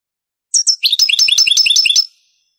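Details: Granada-style European goldfinch song from an old Spanish cassette of the 1980s–90s: a pair of high clipped notes followed by a rapid, jangling run of repeated twitters.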